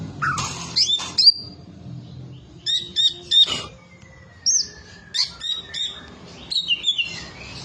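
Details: Olive-winged bulbul pouring out a rich song of clear whistles, quick repeated chirps and a long thin descending whistle, phrases separated by brief silences.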